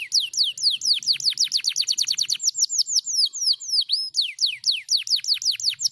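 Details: Canary responding straight away to a lure recording, a fast continuous run of high sweeping whistled notes, many steep downward slurs repeated several times a second, with a brief twisting phrase midway.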